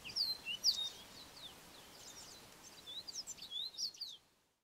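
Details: Male yellow-fronted canary singing a typical canary song: quiet, high thin whistled notes and short twittering phrases in irregular bursts over a steady background hiss.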